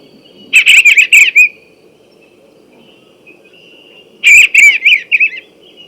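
Eastern Bluebird singing two short phrases of soft, warbled notes, each a quick burst of slurred whistles lasting about a second, separated by a pause.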